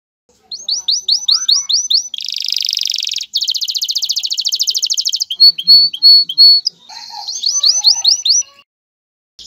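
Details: Canary male singing to push a female toward mating and nest building, with rising slurred note series, long rapid buzzing trills, a run of short clipped notes and more rising whistles.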